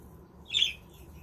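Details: Budgerigar kept in a homemade aviary village: one short harsh squawk of about a fifth of a second, with a low steady hum behind it.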